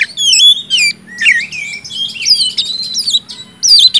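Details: Kacer, or oriental magpie-robin, sings a lure song for silent birds: long sliding whistles rising and falling, overlapping squeaky notes, somewhat softer with quieter stretches between phrases.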